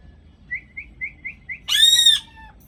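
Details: Parrot described as angry and vehement: five short, quiet rising chirps in quick succession, then one loud, harsh, raspy screech lasting about half a second.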